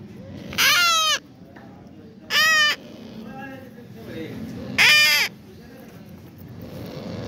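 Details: African grey parrot chick calling with three loud rasping squawks, irregularly spaced, plus a softer call between them, over constant low background noise.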